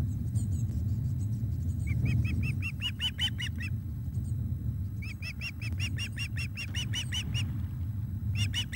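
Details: Osprey at its nest as fish is brought in, evening of 17 July 2021 at 19:48. After two quiet seconds, bright arched whistled notes come in fast runs, pause, then resume. A steady low rumble sits beneath.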